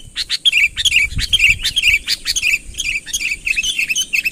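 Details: Sooty-headed bulbul calling a rival to come nearer, a busy run of short bubbly whistled chirps repeated without pause, some notes rising and falling, with a constant thin high hum behind.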